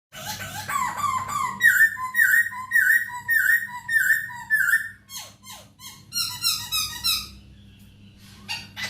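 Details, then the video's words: Masked laughingthrush song from a tutoring recording for caged songbirds: rich harmonic whistled notes, a run of about eight even downslurred phrases, then rapid sharp downswept notes and a chattering burst. A low steady hum sits underneath. "MASTERAN POKSAY HONGKONG | POKSAY GACOR DOR | POKSAY HONGKONG BIRD"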